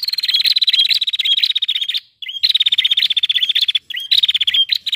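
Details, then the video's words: A prinia hen calling to set males singing: long unbroken runs of fast, metallic ticks over a high steady whistle. Brief rising notes and a short pause split the runs. "Prenjak Malas Bunyi Langsung Gacor Dengar Prenjak Betina Ini"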